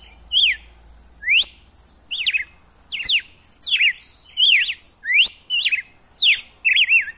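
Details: Red-cowled cardinal wild-style song for rousing a caged male to sing, a brisk series of steep falling sweeps and wavy slurred whistles, irregularly spaced, over a soft low background rumble.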